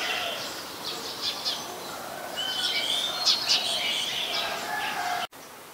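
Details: White-vented myna in Ubon Ratchathani, Thailand, 16 February 2020, giving a run of scratchy chirps and creaky, buzzy notes, with a brief whistled rising phrase near the middle, then an abrupt cut.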